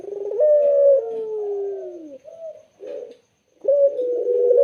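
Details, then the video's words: Spotted dove song, clear and melodious: a long held coo that slides gently downward, a short bubbly note, a pause, then another sustained level coo. "BURUNG PUTER SUARA JERNIH DAN SYAHDU"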